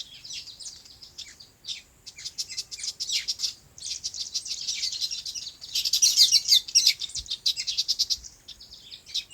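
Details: Several birds on a farm chirp in their natural habitat: bursts of rapid, high, sharp tweets and twittering trills, overlapping in dense bouts separated by brief pauses, louder near the middle.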